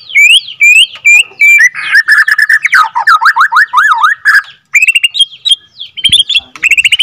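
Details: Second-generation captive-bred Borneo white-rumped shama giving varied song: clear upslurred whistles, then a fast series of swooping wavy notes, then short high chips and rising whistles.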